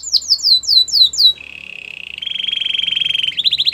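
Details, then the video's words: Song of a Belgian canary: several bright down-sweeping whistles, then a long, even rattling trill that steps up in pitch, ending with quick rising chips. "Belgian canary song"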